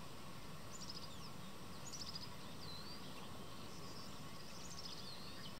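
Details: Song thrush (Turdus philomelos) in winter in temperate farmland, giving thin, high notes in short repeated bursts with a few brief sweeping whistles, over a steady low rumble of wind or distant traffic.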